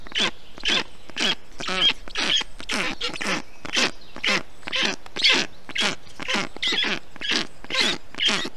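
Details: Black stork young in their nest, Estonia, June 2021, while an adult cools them in the heat; a long, regular series of raspy, harmonic notes, roughly two each second.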